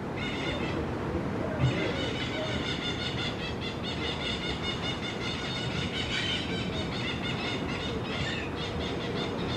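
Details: Crimson-fronted parakeets calling: harsh, screechy notes rich in overtones overlap in a steady chatter through most of the recording, over a constant low rumbling background.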